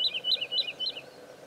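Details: Woodlark (Lullula arborea) at Serra do Suído sings four quick, liquid, high notes, each slurring downward, about four per second, over a faint low background murmur.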